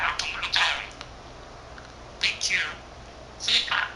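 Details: Pet budgerigar, a male of 13 months that speaks Korean and Japanese words, chattering to himself: three clusters of scratchy, speech-like syllables separated by silent gaps of over a second.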